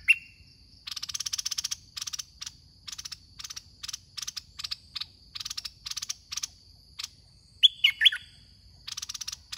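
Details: Caged red-whiskered bulbul used as a decoy in a trapping contest; short loud whistled phrases dipping and rising, heard near the start and twice near the end, over long runs of fast rattling chatter and a steady high whine.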